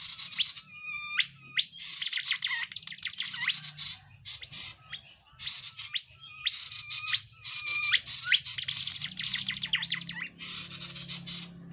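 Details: Tledekan jati in full gacor song, recorded to train magpie-robins, kacer and leafbirds: bursts of quick upslurred whistles and rapid twittering runs repeated in two long phrases, over a faint low hum.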